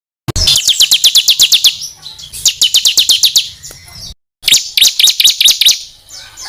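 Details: Songbird master recording used to train contest birds, packed with rapid fill material; dense bursts of high chattering notes repeated quickly in three phrases, separated by short silences.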